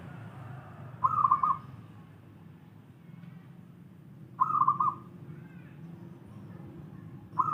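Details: Local wild zebra dove repeats its short, bubbling, trilled coo phrase roughly every three seconds, three phrases in all. Faint high chirps from other birds and a steady low rumble sit behind it.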